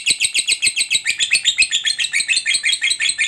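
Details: Fighter lovebird's long ngekek, a trilling chatter meant to coax quiet lovebirds into calling; steady stream of harsh, high pulsed notes, roughly two per second in strong beats, continuing through.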